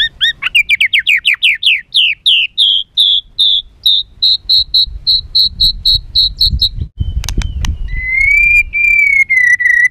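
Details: White-rumped shama singing agitatedly to provoke other birds: a long accelerating series of short clear whistled notes, then a sustained level whistle, over low background rumble.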